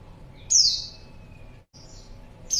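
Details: A female white-eye used as a lure for males gives one bright, high falling chirp, then a thin faint note, with a brief cut in the sound and another chirp starting at the very end.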